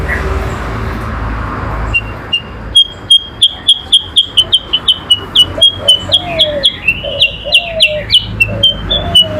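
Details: Yellow-eyed babbler in a cage singing duel with a magpie-robin: after a noisy start, quick steady sharp whistled notes repeat about four times a second, with lower downslurred whistles woven in.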